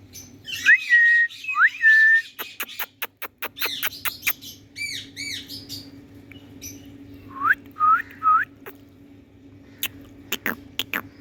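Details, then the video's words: Indian ringneck parrot calling: rising whistled notes that level off, sharp clicks and short harsh squawks in irregular bursts. A steady low hum runs beneath. "Indian Ringneck Parrot Kaku Calling Sounds"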